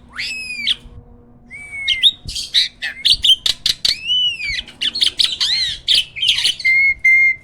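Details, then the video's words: Hybrid jalak (myna) used as a master bird so caged songbirds learn from it: varied loud song of downslurred whistles, harsh rasping bursts and rapid chirps, ending with a steady level whistle. "JALAK HYBIRD GACOOR!! MASTERNYA PARA JUARA."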